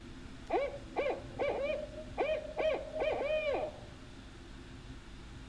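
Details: Barred Owl recording played on a bird quiz podcast, a favourite call of the host, likened to 'who cooks for you'; a rhythmic series of deep, clipped hoots, with a longer drawn final phrase, in a quiet room.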